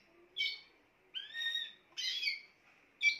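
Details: Spanish timbrado canary giving a bright phrase, then a long, steady, pure whistled note, then further ringing bursts.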